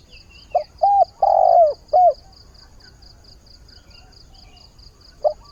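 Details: Caged decoy spotted dove calling to attract a mate early in the day: one full low coo phrase with a short note, a double coo, a long drooping coo and a last coo, then quiet before another phrase begins. Faint high pulsing continues underneath.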